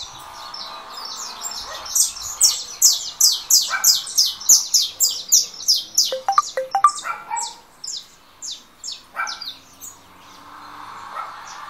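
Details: Saffron finch, 'russo' style, just out of molt, competing with a phone playback of another bird; long accelerating series of loud high chirps, some lower clicks mid-run, fading to quiet.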